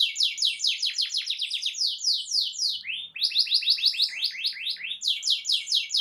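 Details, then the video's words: A canary sings forcefully to set off other canaries: steady runs of quick, sharp downslurred notes repeated several times per second, briefly pausing near the middle before resuming at the same pace. "GAK LAMA BAKAL NYAUT EMOSI KENARIMU DENGAN SUARA KICAU KERAS AMPUH KENARI INI"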